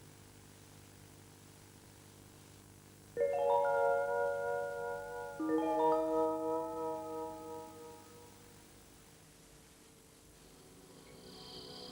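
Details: Two ringing mallet-instrument notes, like a marimba or vibraphone, sound in turn and fade over quiet background hiss, with no animal calls.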